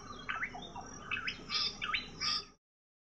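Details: Shining flycatcher calling: a run of about five clear whistled notes, each dipping and swooping sharply, spaced roughly half a second apart before cutting off abruptly.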